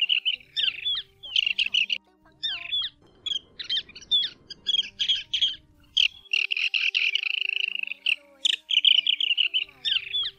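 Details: Lesser sand plover calls used as a lure for night net-trapping in the August 2024 bird season: quick, sharp, high chirps and short trills in dense bursts, several each second, over a faint low hum.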